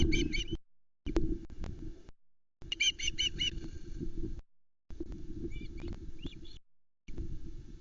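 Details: Osprey chicks at the Loch Arkaig nest on 19 July 2020 as trout is brought and contested; intermittent bursts of fast high piping whistles and a few clicks over strong low wind noise.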